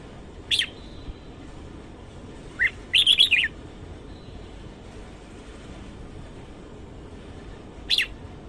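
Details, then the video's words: Morning song of a red-whiskered bulbul, sparse and clean: a lone sharp chirp, a pause, then a burst of rapid warbled notes, and after a long silence one more bright chirp near the end. "Chào mào hót sáng"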